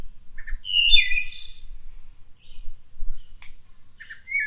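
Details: Wood thrush near Cincinnati, Ohio, singing one fluting phrase: clear liquid notes sliding downward, then a high shimmering trill, with soft introductory notes before and a few quiet notes after, over low background rumble.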